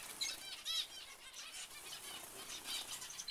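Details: Zebra finches giving a dense overlapping chorus of short nasal, buzzy beeping calls, with soft wing flutters mixed throughout.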